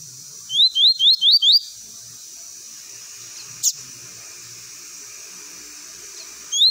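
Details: Double-collared seedeater singing the 'golão tui tui' song style, used for tutoring young birds: a quick run of five high, rising whistled notes, then quiet apart from a single sharp click.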